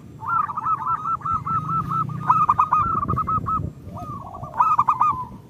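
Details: Zebra dove of a local Indonesian strain, played to coax reluctant birds into singing; long rolling trilled coos with stuttering louder notes, a pause, then another trill and emphatic coos, over low background hum.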